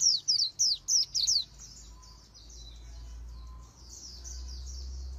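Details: Oriental white-eye in the fast 'líu đấu' song: five crisp, evenly spaced downslurred chirps in the first second and a half, trailing into a soft, continuous high twitter over a low hum.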